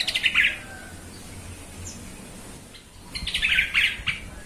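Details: Yellow-vented bulbul singing on a lure track to provoke others: a fast bubbly phrase of warbled notes at the start and a longer similar phrase after a pause, with steady background hiss.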